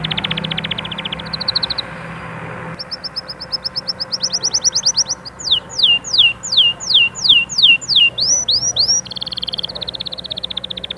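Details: Canary singing intended to push young birds to sing and prepare hens: a buzzy trill, higher pulsed trills, then a run of steep descending whistles, a few rising loops and a final rolling trill.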